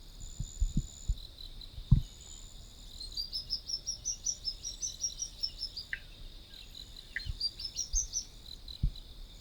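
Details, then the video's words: Sunbird singing in its natural habitat: a quick run of thin, high chirping notes climbing slightly in pitch, a couple of isolated sharp chips, then a brief rising twitter near the end, over a steady insect drone and low thumps. "Sunbird Singing Sounds"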